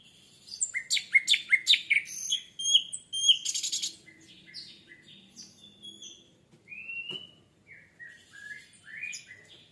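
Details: Orange-headed thrush lure song for triggering singing: rapid, sharp, repeated chips and high whistles in a lively burst, then quieter slurred whistles and short varied phrases, with a single click midway.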